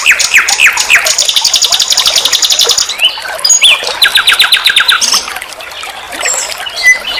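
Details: Nightingale (sikatan londo) song from a recording for tutoring songbirds: fast downslurred whistles, then a long rattling trill, a brief pause and a second trill of spaced clicks, followed by softer scattered notes.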